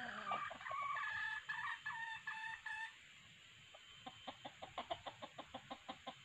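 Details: Red junglefowl calls from a decoy male and female, used to trap wild birds: a harsh, harmonic crowing phrase broken into several segments, then a quiet pause and a quickening series of sharp clucks.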